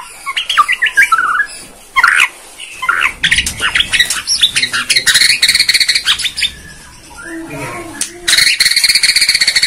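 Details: Bornean white-rumped shama, played as a lure to provoke other birds into singing: loud, varied phrases of squawky notes, rising and falling slurs and rapid harsh rattles, with a brief pause before a buzzy repeated burst at the end.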